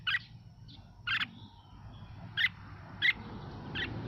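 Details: Red-whiskered bulbul of the Mào Mộc sort, singing to get other birds singing: five short clipped notes spaced about a second apart against a fairly loud, steady background hiss.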